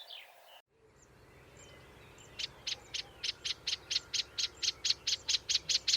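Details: Melodious warbler at dawn on the Île de Raymond, a polyglot mimic with varied song, gives a run of about fifteen dry, high, clicking notes that speed up and grow louder, like a mimicked blackbird alarm; faint background hum.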